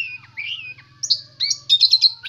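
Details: Oriental magpie-robin (kacer) in full, prolific song, said to be contest-ready and chattering day and night: clear whistled notes sliding and warbling, then a rapid string of bright, high chirps near the end, over a faint low hum.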